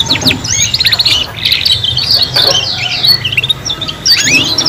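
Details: Young canaries practising song together, rapid repeated chips and buzzy trills then rising whistled sweeps near the end, several birds overlapping over a faint low hum.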